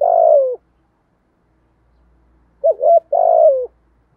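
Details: Spotted dove cooing in the 'thổ' voice style, used to lure wild doves: one long, mellow, slightly falling coo, a pause, then a quick double note and another long falling coo.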